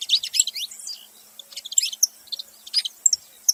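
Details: Saffron finch making noise: a dense burst of sharp, high chirps and short twittering notes. They start busy, then come as scattered single chips and pairs.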